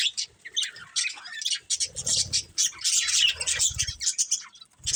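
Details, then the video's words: Breeding pair of pet budgerigars chirping; dense bursts of scratchy, warbling chatter high in pitch, broken by short pauses, with faint low rustling beneath. "Cute Budgies Chirping Sounds"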